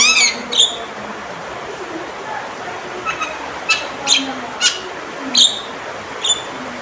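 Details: Male Javan myna giving loud, sharp calls: scattered short chirps and clicked notes with bright harmonics, about seven spaced bursts over the stretch against a steady low background hiss.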